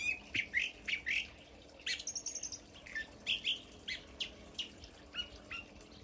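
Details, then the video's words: A California Thrasher in a California garden by fruiting fig trees sings melodiously: a varied run of short, harsh and liquid phrases, each repeated in quick bursts about every half second, with rapid chattering notes mixed in. "If you hear that and you're in California, you'll know that beautiful, melodious bird is the California thrasher."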